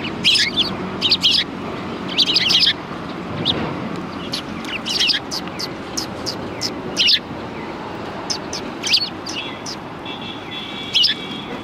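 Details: Sparrows at a Tenmangu shrine on 4 March 2020 chirp in irregular clusters of sharp, high notes over nearly twelve seconds, with soft rumbling background noise throughout.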